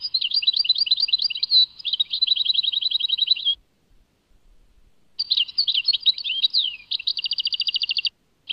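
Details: European goldfinch in Tadmait delivering two long song phrases. Each mixes jumbled tinkling chirps with a fast, buzzy, evenly pulsed trill, separated by about a second and a half of silence.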